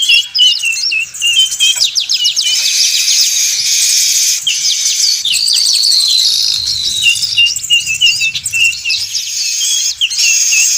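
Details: Busy weaver chorus played to lure birds: continuous high, scratchy chattering with thin drawn-out whistles and bursts of rapid chirps, many birds calling at once.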